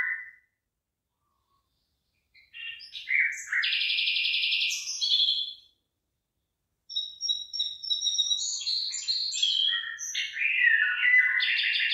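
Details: Wild birds singing over rice fields beginning to form ears, in a natural open setting in Thailand; bursts of bright chirps and buzzy, rapidly repeated trilled notes in two phrases separated by a short silence, with several overlapping calls.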